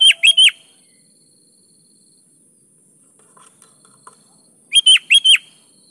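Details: Energetic sooty-headed bulbul song meant to make quiet kutilang answer: a rapid four-note whistled phrase at the start, near silence with a few faint ticks, then the same ringing phrase about four and a half seconds later.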